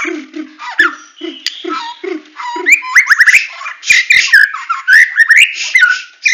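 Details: White-rumped shama of the Medan type in full tembakan style: a row of low short notes opening into quick rising whistles, sharp clicks and varied slurred phrases.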